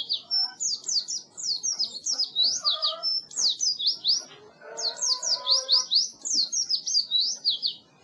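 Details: Oriental white-eye song used as training recording for birds that stop singing: rapid strings of high, thin, slurred whistled notes, rising and falling, in dense chattering bursts with brief pauses.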